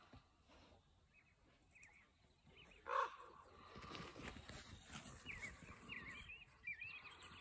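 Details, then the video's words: Two ravens give soft, bubbling, gurgling calls that waver up and down in short runs, with a sharp knock and rough wind-like rushing in between. "Ravens calling with bubbling / gurgling sounds"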